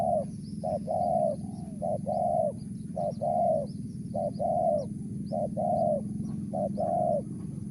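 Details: Spotted dove calling in the Mersik style, with a run of short-long paired coos repeated roughly every 1.2 seconds over a constant low background hum and faint distant chirping.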